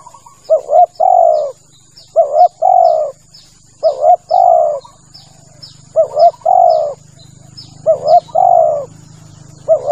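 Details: Spotted dove male used to lure doves for hunting, repeating a double note and a long coo about five times, with rapid high descending chirps of small birds and a low hum behind.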